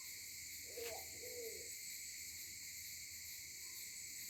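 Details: Maleo recorded on a phone on Sarva Island, Kampung Ugar: one soft two-part hooting call, an arched low note followed by a second, beneath a loud steady chorus of insects.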